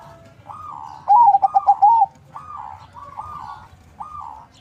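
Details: A farm-bred zebra dove of local and Bangkok cross, used as a lure bird in Bekasi, West Java. One loud phrase of rapid choppy notes runs into drawn-out soft coos. Quieter repeated coos from neighbouring doves follow.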